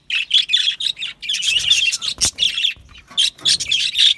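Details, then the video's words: Aviary budgerigars chirping in short bursts of high, grating chatter separated by brief gaps, with one loud click in the middle and a quieter stretch before the chirps resume. "Australian Budgie parrot sounds | Budgie parrot chirping sounds"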